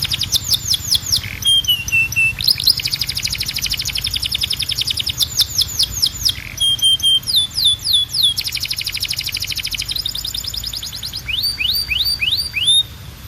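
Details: Canary singing a long varied song: fast trills alternating with drooping whistled notes and sharp falling chirps, several phrases repeated back to back.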